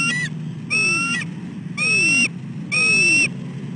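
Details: Repeated piercing calls of a female bald eagle at her nest, 15 December 2013, 5:41 pm, while the male eats nearby before flying in to mantle his food; four long whistled notes roughly a second apart, with a low hum behind.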